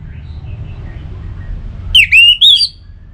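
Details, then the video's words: Orange-headed thrush song, played to get kept birds singing: one brief burst of loud, clear whistled notes sliding up and down, with a final rising whistle, over a faint low hum. "Suara Burung ANIS MERAH"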